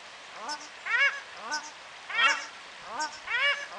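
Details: Morning chorus of paradise shelducks, New Plymouth, New Zealand: rapid alternating calls, lower and higher honks overlapping in a quick back-and-forth duet, about two per second, loud and insistent.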